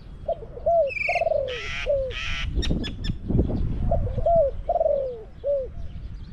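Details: Caged Spotted dove used as a decoy to draw in wild doves, Song Phi Nong. Two sets of soft rising-and-falling coos, each ending in a drawn-out descending note, with harsh raspy calls and clicking from other birds between them.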